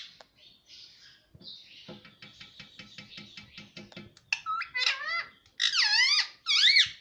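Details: Pet ring-necked parrot talking, said to say "mummy papa": a fast series of ticking pulses, then loud wavering, voice-like phrases in three bursts.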